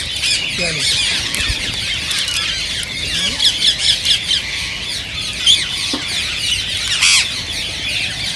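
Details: Dense screeching of a rose-ringed parakeet flock, a sound said to stimulate singing and mating; overlapping high grating calls with a run of rhythmic louder squawks mid-way and a sharp burst near the seventh second.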